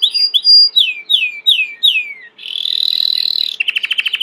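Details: Belgian canary, a domestic breed, singing: a sequence of loud downward-sweeping whistles about every half second, then a buzzing sustained trill and a fast pulsing roll of clipped notes.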